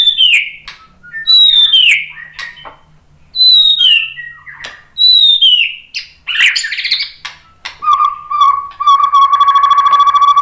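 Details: Lure song of a white-rumped shama, meant to provoke other shamas into replying: four loud descending whistled phrases about a second apart, then a harsh buzzy burst and a long steady rattling trill.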